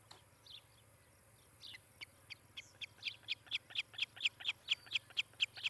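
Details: Nesting osprey in Charlo, Montana, heard on a nest camera, 18 July 2018, mid-morning: scattered soft notes build into a fast, loud series of shrill whistled chirps, roughly four each second, growing stronger toward the end.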